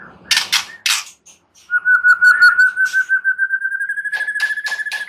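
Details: White-rumped shama song: a few hard chips, then a long, even whistled trill that climbs very slowly in pitch over several seconds, with loud clicking notes overlaid near the end.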